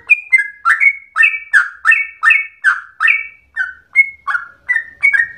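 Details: Yellow-vented bulbul (trucukan) in vigorous rolling song likened to a straw-headed bulbul; loud burry downslurred whistles in quick succession, some paired high-low notes, roughly three per second, no other clear sounds.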